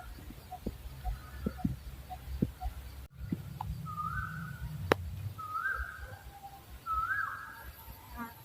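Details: Owl sending out three rising, sustained whistles in the second half, after a stretch of low rumble and scattered clicks, with a sharp tap heard midway.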